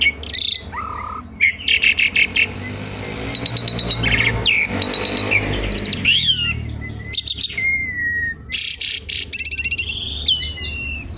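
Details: Asian pied starling song meant as a lure and to teach other birds: loud mixed medley of harsh rasping bursts, clicking rattles and sweeping whistled slurs, delivered almost without pause over faint low hum.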